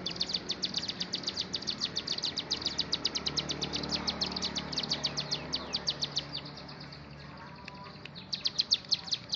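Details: High, rapid chipping song of a bar-winged prinia, locally ciblek gunung, running continuously for several seconds, fading, then a final short burst of sharp notes.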